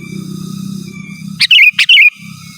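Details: Sooty-headed bulbul in lively, vigorous song meant to call rivals: two quick bubbly phrases, each opening with a sharp burst and sliding into a warbled whistle, over a low rumbling hum and a faint steady high tone.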